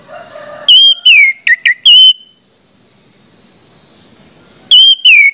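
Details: Orange-headed thrush lure song to spur other thrushes into song: a run of five clear slurred and clipped whistles, a three-second pause filled by a steady high insect-like buzz, then two more whistles.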